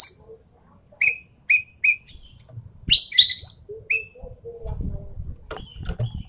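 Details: Sumatran treepie, endemic to Sumatra, used as a lure: short whistled notes repeated about every half second, then a harsh rising burst and a lone whistle, with low rumbling noise and faint thuds toward the end.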